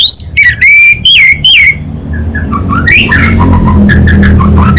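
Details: Orange-headed thrush, called anis bata, from North Bali, Indonesia: four loud, ringing whistled notes that bend and fall, then a softer run of short varied whistles and chips.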